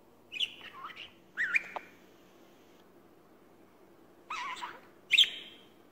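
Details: A pet budgerigar trying to talk, chattering in short bursts of warbled, scratchy notes as it attempts a few words.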